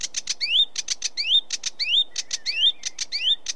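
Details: Sedge warbler song mixing harsh ticking notes with upward-sweeping whistles, about one every half second. The song has a jerky, alternating rhythm of chatter and slurred rising calls.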